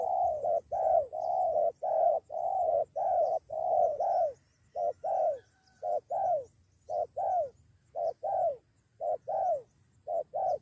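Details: Spotted dove lured by a decoy and ready to fight, with two birds nearly fighting one. Low, hollow coos come in steady pairs, a short note then a longer falling one, repeated about once a second without pause.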